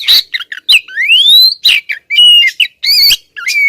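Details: Female Oriental magpie-robin calling persistently at the male, leaving him flustered. Rich, varied whistles: sharp high notes, a long rising slurred whistle, twangy looping phrases and short harsh chatters in quick bursts, with no other sounds.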